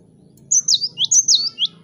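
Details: Cinereous tit singing energetically, played to provoke rivals to answer: high, clear whistled notes sweeping down then up, delivered in a quick string of six or so, over a faint low hum.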